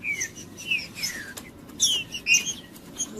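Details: Rufous-bellied thrush, a bird kept by breeders for singing tournaments, singing to warm up a cold bird: brief whistled notes slurring downward, scattered with faint high chips and quiet gaps.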